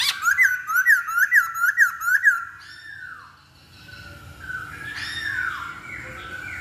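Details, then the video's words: Masked laughingthrush lure recording meant to set another bird singing: a run of about eight quick, sharp, rising whistles, then a quieter stretch of slurred, falling notes and chatter. "Pancingan Poksay Hongkong Paling Ampuh"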